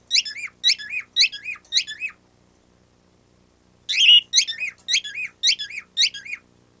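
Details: Pet bird squeaking like a rubber toy, not a taught sound: a set of four high, bouncing squeaks, nearly two seconds of quiet, then a set of six more.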